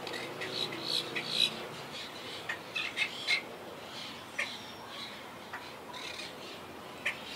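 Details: Monk parakeets of a wild colony in the trees, the colony rebuilding after losing about half its birds to hurricane Irma in 2017; harsh squawks burst in clusters at high pitch, irregular, with overlapping calls and background rustle.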